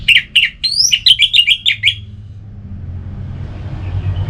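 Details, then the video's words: Orange-headed thrush singing a quick string of punchy, chirped notes with one rising squeal, around two seconds long, then hum; a relaxed song for stirring birds off their form. "Anis Merah Bunyi Santai"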